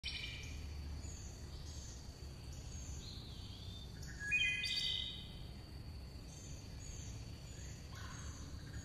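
Chickadees give high, thin whistled notes, with a brief burst of lower chattering midway. A steady low rumble of background noise runs throughout.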